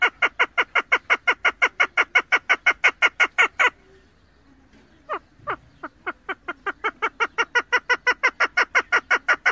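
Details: Female chukar partridge used in hunting calls in a fast, even run of harsh chuck notes, breaks off into a short silence, then resumes with a few spaced notes that quicken back into a rapid steady series.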